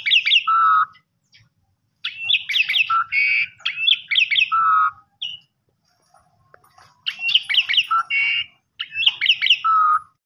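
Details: Asian pied starling singing in the kopi-kopiko style, used as a lure song: bursts of rapid, squeaky chirps around high pitch and lower clear whistled notes, phrases separated by short silences.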